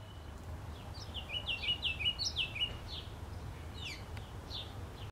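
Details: A Ruby-crowned Kinglet singing near the top of a fir tree, seen from a back yard in NW Regina, Saskatchewan, Canada, on 3 May 2016: high thin notes swelling into bouncy repeated phrases, then scattered chips, over low rumble.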